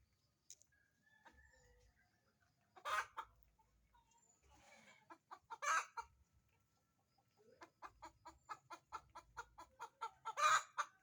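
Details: Domestic chicken in egg-laying cackle: two loud, harsh squawks about three seconds apart with faint rustling between them, then a fast, even train of short clucks ending in another loud squawk.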